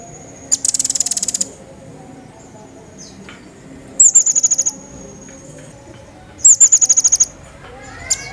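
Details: Pygmy bushtit, lively, recorded for training other songbirds: three bursts of rapid, very high, pulsing chips about every two to three seconds, with a thin sustained high tone.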